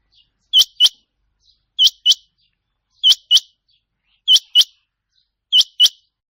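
A rain quail gives sharp, metallic paired notes, 'whit-whit', repeated about every 1.25 seconds in an even rhythm. The background is quiet.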